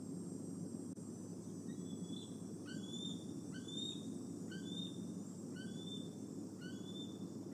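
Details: Decorah bald eagle, a male perching close to nest N1 in the evening, 26 August 2020; thin rising whistles given roughly every second, somewhat faint, against constant low background hum.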